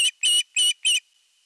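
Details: Osprey calling at a Finnish nest in Satakunta, 19 July 2022, when the male brings a big fish, from a nest camera: four short, piercing whistled notes in quick even succession, then quiet.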